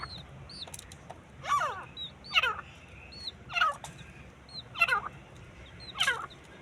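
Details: Fighting partridge (teetar) giving loud, rasping calls that sweep downward, spaced about a second apart, five in a row. Faint chirps of other birds and a low background hum.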